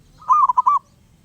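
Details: Single loud phrase from a restless wild zebra dove: a brief soft lead-in, then four rapid rolling cooing notes at a steady pitch, ending cleanly, with faint low hum beneath.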